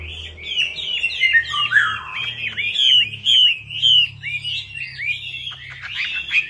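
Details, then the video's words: Melodious laughingthrush, or Chinese hwamei, singing a lure song: rich, varied whistled phrases that rise and fall quickly, with some slurred downward notes and brief pauses, over a low background hum. "PANCINGAN WAMBI MACET"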